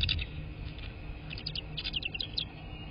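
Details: Bald eagle of a nesting pair on a live nest cam, 3 March 2024 in early afternoon, giving brief high chirps, then a longer run of rapid piping, squeaky notes that rise and fall, against a low rumbling background noise.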